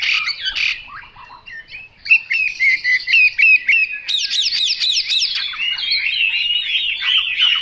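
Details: Chinese hwamei song beginning with scratchy notes, then a steady run of repeated bright whistles and high looping phrases, ending in flowing warbles.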